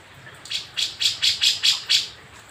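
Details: Grey-cheeked bulbul, a Javan bird from Jember, East Java, newly caught from the wild, five days after being brought down from the mountains. Seven bright, harsh chirping notes come in an even run, about four per second.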